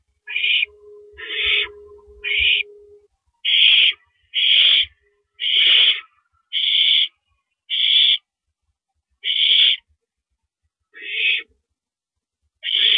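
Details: Barn owls at the nest at 2:42 AM on April 7, 2012, as a rabbit is delivered as prey: a series of harsh, noisy hissing bursts, roughly one per second, each short and breathy, with brief silent gaps between.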